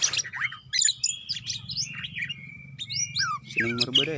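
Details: Greater green leafbird female calling to a male: a varied chattering stream of high whistles, a long level tone through the middle, then sharp upward slurs and a buzzy harmonic burst at the end, all over a faint low hum.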